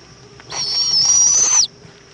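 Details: Single drawn-out, hoarse hissing screech lasting about one second, from owls at a nest in Indiantown, Florida, 7:20 pm, 11 February 2014, when the mother returns with a bug for the chick; quiet background otherwise.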